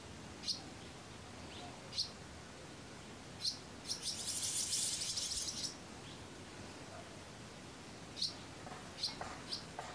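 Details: At a barn swallow nest holding nestlings in Kırcaali, Bulgaria, brief high-pitched chirps sound singly or in pairs, spaced one to two seconds apart, with a short rushing hiss partway through.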